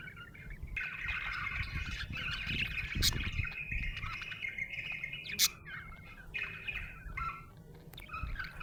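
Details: Happy budgerigar chirping: a continuous buzzy, twittering warble with quick chirps and a few sharp clicks, over a low background rumble.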